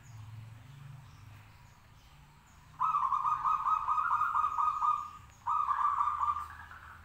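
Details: Local zebra dove in full song, meant to make others respond: a long, rapidly pulsed cooing trill of about two seconds, a brief pause, then a shorter trilled phrase.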